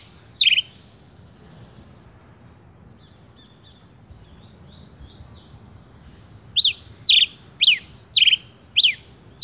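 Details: Single sharp whistled note from a male rufous-collared sparrow, a long pause with faint distant bird chatter, then six rapid down-slurred chips delivered about every half second.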